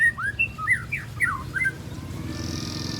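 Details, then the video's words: Young spotted white-rumped shama, three months old, learning besetan and tembakan phrases: a quick string of bright slurred whistles, rising and falling, followed by a steady hiss. "Murai Batu Trotol Jahat Usia 3 Bulan Belajar Bongkar Isian Besetan & Tembakan Tajam"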